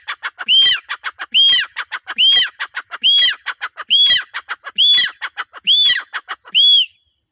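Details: Male grey francolin calling in Punjab: a loud, rhythmic series of ringing, arched whistled notes roughly every 0.9 seconds, each run preceded by a quick burst of dry clicking ticks, repeated eight times in a steady pattern.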